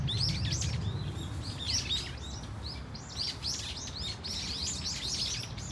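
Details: Brown-eared Bulbul flock at Dunsan Grand Park, Korea, crying in varied notes: sharp downslurred chirps in irregular bunches, thickest near the start and in the second half, with low background rumble.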